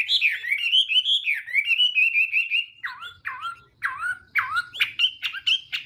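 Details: Chinese hwamei singing in the morning, voice-training song meant to provoke singing: rolling whistled runs, then separate deep downward-swooping whistles, ending with sharp high notes.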